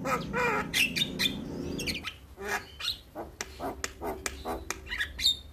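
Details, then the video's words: Javan myna song for getting young birds to respond fast: dense harsh chattering at first, then spaced sharp clicks and short squeaky notes at an uneven pace. "Jalak Kebo gacor Masteran Bikin Burung Jalak Muda Cepat Respon"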